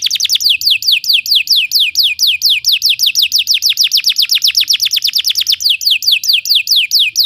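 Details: Belgian canary singing for canary training: a long, steady series of loud, high, downward-sweeping whistled notes repeated about four per second throughout.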